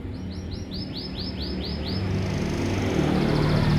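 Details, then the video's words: Lovebird chirps: about eight short, arched, high notes repeated quickly and evenly for two seconds, then fading into rising background noise. "Lovebird Chirping Sounds"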